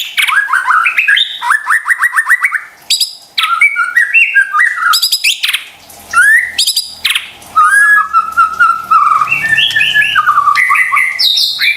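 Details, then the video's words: White-rumped shama song intended to spark silent or stressed shamas into song: rapid trills, stuttering repeated notes and clear whistled phrases, bright and varied, broken by short silences. "PANCINGAN murai batu STRES dan MALAS BUNYI seketika LANGSUNG nyaut dan GACOR dengar suara INI"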